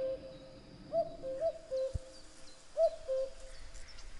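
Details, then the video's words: Cuculus canorus singing, falling two-note cuckoo phrases given irregularly, three calls in four seconds, with a brief low thud and faint high chirps of other birds behind. "Kuckuck | cuckoo | cuculus canorus | Gesang"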